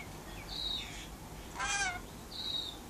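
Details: Single short, rasping screech from a pet rainbow lorikeet enjoying outside time on a verandah. Clear high whistled notes from nearby wild birds come just before and after it.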